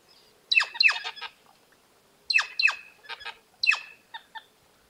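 Plush-crested Jay giving loud, harsh, descending squawks in clustered bursts of two or three, with short rattling notes between, repeated every second or so.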